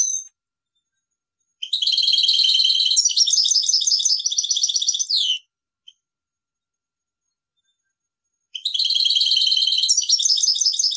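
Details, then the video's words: European goldfinch from a cage delivering two long high song bursts of rapid repeated twittering notes and rolling trills, separated by several seconds of silence with one faint chip. "best Goldfinch singing , le plus beau chant de chardonneret"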